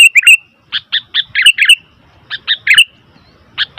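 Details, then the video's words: Sooty-headed bulbul, calling noisily, gives clusters of bright, bubbly chirps, some with a quick upward flick, in three bursts separated by short gaps; faint low rumble in the background. "Suara Burung Kutilang ribut"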